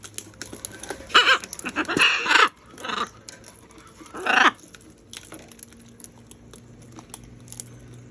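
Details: Macaws eating fruit give four harsh, raspy squawks over about three seconds, each broad and grating, followed by quieter background rustling.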